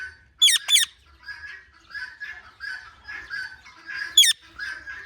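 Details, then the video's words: Indian ringneck parrot chirping naturally, with no background music. Piercing, shrill notes come in a quick pair and then a single one. Between them runs a steady series of softer, raspy chatter notes repeated about twice a second. "Indian Ringneck Parrot Natural Chirping Sounds"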